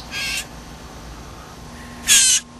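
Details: A hungry young Blue Jay, hand-fed in a yard in July, gives two harsh, raspy squawks about two seconds apart, begging for food while flapping its wings, over a faint low hum.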